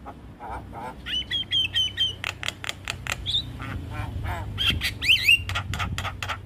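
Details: Javan myna in a busy, varied song used as a lure to draw in wild mynas: harsh broadband squawks and clicks mixed with sharp whistled notes and slurred rising phrases, delivered in quick bursts over a low background hum.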